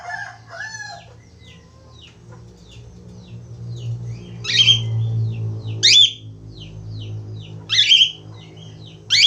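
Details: Busy budgerigar twittering rapidly in quick high chirps, broken by several loud, rasping squawks, over a steady low background hum.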